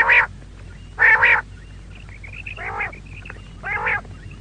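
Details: Female quail, locally called maadi batair, giving four harsh, nasal, rasping notes spaced about a second apart. The first two are louder; the last two are lower and softer. Faint high chirps sound between them.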